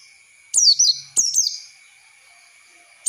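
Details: Oriental white-eye lure for training young birds: two short phrases of high, quickly descending whistles about half a second apart, then quiet over a thin steady tone, ending with a single note.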